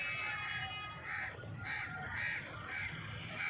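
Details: Grey francolin (dhakni teetar) calling with loud, raspy, ringing notes spaced about a second apart, each with a harsh, layered tone, against a constant low hum.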